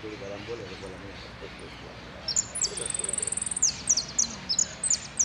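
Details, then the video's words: Saffron finch singing in the El Cristalino style, with prio, golpe and pitadas. Very high notes start partway in, then a fast, even trill, then sharp chirps repeated about twice a second over a murmur of human voices. "JILGUERO AUDIO"EL CRISTALINO" ( prio,golpe y pitadas)"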